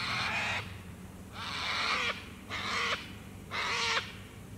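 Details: At sunset by Lake Broadwater in Queensland's Western Downs, Australia, sulphur-crested cockatoos give raucous, grating screeches, four harsh blasts each under a second, with a faint low rumble beneath.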